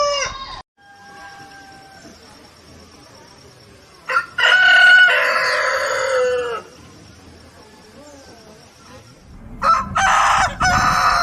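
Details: Rooster crowing repeatedly: the trailing end of one crow, then a full loud crow of around two and a half seconds with a falling final part, and after a pause another loud crow begins.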